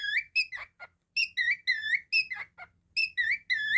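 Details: Pet cockatiel repeating loud rich whistles, about every third of a second in clusters, mixed with brief falling squeaks, in a quiet room with a faint low hum.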